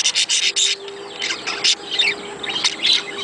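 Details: Budgies calling in a recording used to prompt mating: a run of rapid harsh chirps at the start, then softer twittering and scattered squeaky notes.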